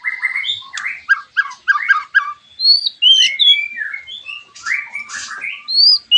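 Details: White-rumped shama singing as a lure for other shamas, a dense run of quick chattering notes giving way to clear rising and falling whistles and scattered high chips.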